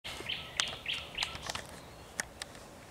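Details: Thrush nightingale singing at sunset on 30 May 2021: sharp chirps and short high notes scattered through the phrase, with several bright accented clicks, over a quiet rural background.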